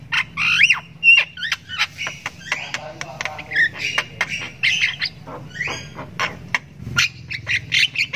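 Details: Javan myna chick learning to call, giving long harsh, squawky begging chirps in rapid, irregular bursts, with a low steady hum beneath.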